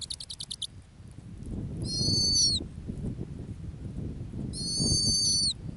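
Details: Female snowy owl at her ground nest in the Arctic: a brief burst of rapid high pulses, then two drawn-out, shrill, whistled screeches that dip at the finish, separated by a few seconds of low wind-like rumble.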